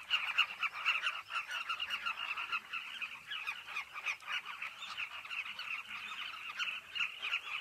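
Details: Chorus of many carmine bee-eaters at their cliff colony, a steady churning mass of short throaty calls repeated rapidly and overlapping, with no pause throughout.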